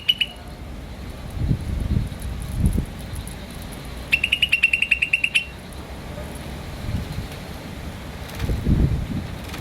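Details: Green starling chirping: a short high note near the start, then a single clear burst of rapid evenly spaced chirps lasting over a second, amid low thuds and rumbling.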